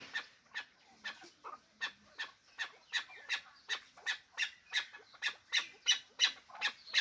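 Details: Hybrid fighting chukar partridge calling in a fast, steady run of sharp, broadband chuk notes, roughly three per second, growing louder toward the end.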